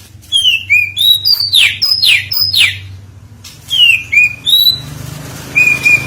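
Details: Oriental magpie-robin (kacer) singing, played as a lure to provoke other birds to sing: loud whistled phrases mixing falling slurred notes, short level whistles and downward sweeps, in bursts with brief pauses, over a faint low hum.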